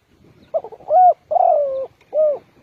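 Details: Trapper's decoy spotted dove from Ninh Thuận: a quick stuttering note, then a rounded coo, a long drawn-out falling coo and a final short coo, all low and hollow over a quiet background.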